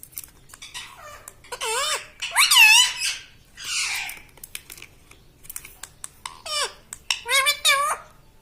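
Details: Pet parrot, a green ringneck, mimicking speech indoors in a small room: a series of harmonic, wavering syllables in short bursts, some rising and falling, with light tapping sounds between phrases.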